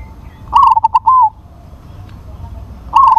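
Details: Zebra dove, a crossing bird with a big voice, singing: a loud cooing phrase of quick stuttered notes followed by a longer drawn note, repeated after a pause of about two seconds; low background hum.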